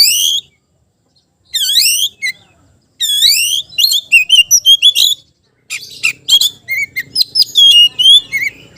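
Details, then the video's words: Oriental magpie-robin singing to call out a rival: loud harmonic notes sweeping down then up, repeated with pauses, then a fast run of varied sharp chirps and whistles, with faint low background hum. "KICAU KACER MEMANGGIL LAWAN"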